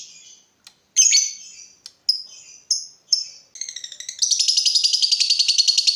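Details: Lovebird in vigorous song: scattered high screeches and short whistled notes, building into a fast, continuous rattling chatter over the final two seconds.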